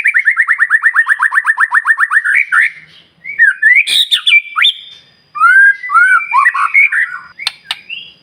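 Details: White-rumped shama song used in the morning to make other birds respond: a rapid series of about twenty repeated downslurred whistles, then varied harsh and sliding phrases after short pauses.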